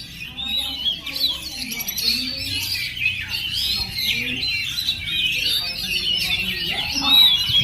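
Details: Oriental magpie-robin, called a 'perjaka' (bachelor) bird, singing a continuous, varied stream of whistled, warbling phrases that slide up and down, with brief chirps and no pauses over the whole stretch.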